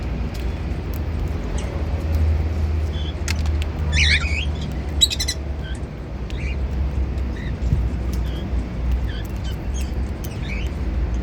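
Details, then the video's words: Cockatiels eating seeds give two short bursts of harsh, rising chirps about a second apart, then scattered faint tweets over a steady low hum. "Happy Cockatiels Eating Seeds | Cute Cockatiel Singing"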